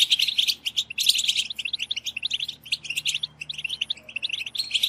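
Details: Group twittering of European goldfinches to encourage goldfinch singing; bouncy bursts of bright, tinkling notes, loudest around the first second, with brief lulls between choppy phrases.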